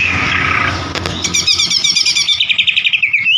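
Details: Oriental magpie-robin song for provoking a bird to sing, opening with a buzzy chatter, then quick repeated whistled trills descending in pitch, with low traffic noise behind.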